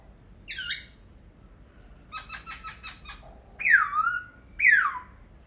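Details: Laughingthrush singing: a downslurred whistle, a quick series of five or six clipped harmonic notes, then two loud, swooping whistles that drop and flatten out.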